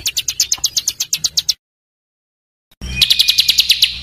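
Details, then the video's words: Small songbird, harsh master recording for tutoring caged birds: a fast series of shrill downslurred notes, a silent break, then a ringing trill with a faint low thump at its start. "Suara Masteran Burcil Besetan Kasar"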